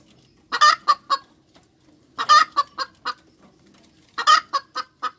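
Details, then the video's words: Hens cackling in three regular bursts, each a loud rasping squawk followed by three or four shorter, clipped clucks, spaced about every two seconds with little else heard. "Tiếng Gà Mái Chuẩn - Chicken Crows 100% , Hens Crowing - เสียงแม่ไก่ที่ดีที่สุด - Suara ayam terbaik"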